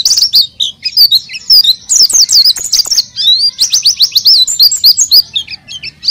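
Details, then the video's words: Oriental white-eye in energetic full song, played as a lure to draw out untrained white-eyes: a continuous rapid twittering of high, sharp chirps and quick up-and-down slurred notes, with brief gaps and no other clear sounds. "PLECI GACOR UNTUK PANCINGAN PLECI BAHAN"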